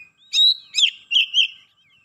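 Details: Oriental magpie-robin turning excited and unloading its 'isian' fill-in phrases: four quick clear whistled notes with sharp onsets, the first held and steady, the rest slurred, over about a second and a half in otherwise quiet surroundings.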